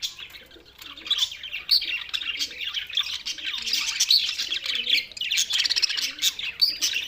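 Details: Budgerigars recorded on 7 June 2024, described as lonely, giving continuous busy chatter of warbling, chirping and squawky notes, dense and overlapping throughout.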